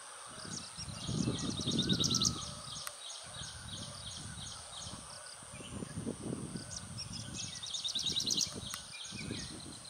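Grey-breasted Prinia giving twice a high, rapid series of thin, buzzy notes, over low rumbling wind or handling noise.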